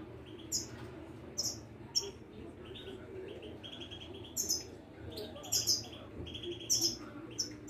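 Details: Caged Moroccan wiidani European goldfinch at a bird market in Casablanca, Morocco, giving short bursts of high, bright chirps and twitters roughly once a second, spaced by pauses, with faint low background murmur and some speech.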